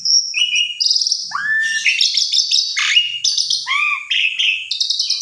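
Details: Asian pied starling singing to stimulate a silent bird, a lively mix of clear whistles, downward and upward slurs, dense chattering and buzzy high trills, continuous and loud.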